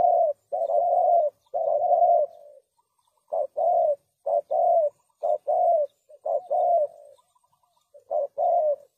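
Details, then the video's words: Clean spotted dove cooing meant to lure doves for trapping: a run of mellow, low hoots in uneven groups, one note sliding down near the start, with pauses between phrases and no other sounds. "Suara Burung Tekukur Bersih Cocok Untuk Pikat"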